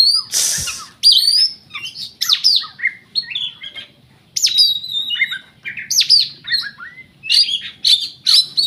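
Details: Contest-winning kacer, the oriental magpie-robin, from Riau province delivers a long rich medley: a harsh burst, then rapid whistled slurs, chipping notes and clear sustained phrases tumbling continuously over a faint low hum.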